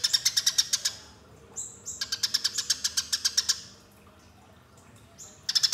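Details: Eurasian tree sparrow giving fighting calls for luring birds: long runs of fast, metallic chirps, a pause of near silence, then a short thin whistle and another chirp burst.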